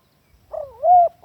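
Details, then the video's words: Single drawn-out coo from a spotted dove, a lure call used to teach captive doves, wavering low then swelling into a louder, steady mellow tone before stopping abruptly. "Suara Pikat Tekukur cocok jadi Masteran"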